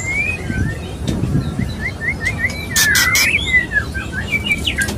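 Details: Male white-rumped shama courting a female while mating, a steady string of short upslurred whistles repeated roughly twice per second, one loud harsh burst midway, and low background rumble.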